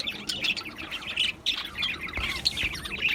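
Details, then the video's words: Colony of budgerigars in an aviary, 11 July 2025: bright high chirps and squeaky warbles overlap in a steady busy chorus, several birds calling at once without pause. "Budgies Chirping sounds"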